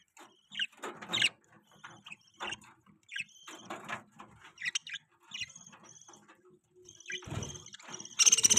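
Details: Newborn budgerigar chicks chirping: scattered short high chirps and squeaks separated by brief pauses, with soft rustling thumps and a louder burst of noise at the end.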